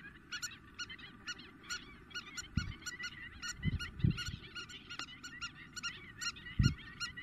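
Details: Spur-winged lapwings in Greece, April 2023, calling intensely: sharp, ringing, harmonic-rich notes repeated rapidly and overlapping, as if from several birds, with occasional low thumps of wind or handling noise.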